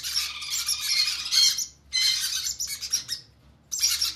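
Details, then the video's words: Hand-fed conure chicks giving rough, buzzy begging squawks in three loud bursts with brief silent gaps between them. "Conure chicks hand feeding"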